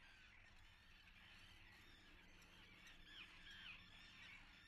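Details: Nesting common terns at Atlit on 10 June 2010: many overlapping grating, high squawks, roughly two per second, with a few clearer piercing calls standing out near the end, over a constant low background rumble.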